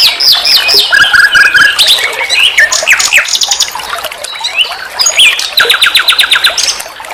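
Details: Nightingale song used to train songbirds: dense, varied phrases of sharp chirps, short whistled trills and harsh squawky notes, ending in a fast, even burst of repeated clicks.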